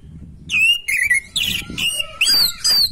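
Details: Orange-headed thrush singing in a natural, vigorous manner, played to stimulate a bird lacking breeding drive: six loud whistled phrases in quick succession, each a bright sliding warble with ringing overtones and short pauses between. Faint low rumble behind.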